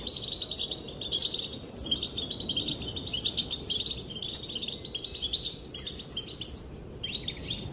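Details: A female European goldfinch calls, described as making the males dance: an almost continuous stream of high, jingling twitters and chirps, dense and rapid, with only brief breaks across nearly eight seconds.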